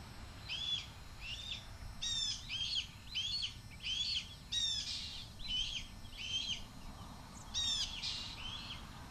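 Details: Young male red-tailed hawk, learning from his parents, keeps screaming at his passing mother for food; a steady series of scratchy, wheezing screams about twice a second, some sharper and clicking, over faint steady background noise.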